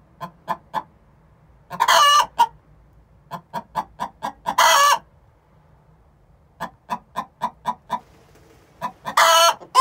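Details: Egg song of two six-month-old hens calling before laying an egg: bursts of quick repeated clucks separated by pauses, each run capped by a loud raspy squawk, three squawks in all.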